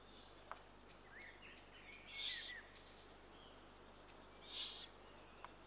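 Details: Eurasian eagle-owl chicks being fed, recorded 2 June 2023; two rasping, breathy hisses roughly two seconds apart over a quiet background, with a couple of soft clicks.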